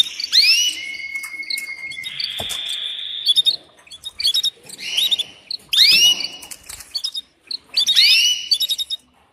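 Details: Canary presented as a female mating call to the male: repeated loud swooping whistles about every two seconds, interleaved with a long level whistle and dense high chirping trills.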